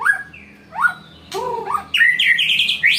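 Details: White-rumped shama in challenging song, a short whistle followed by a rising slur, then a lower warbled phrase and a loud, high, buzzy trill that rises sharply at the end.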